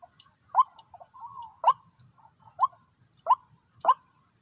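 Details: White-breasted waterhen at a decoy trapping spot that drew two birds: a few short, rising croaks spaced about a second apart, with one drawn-out note, over a faint steady high hiss.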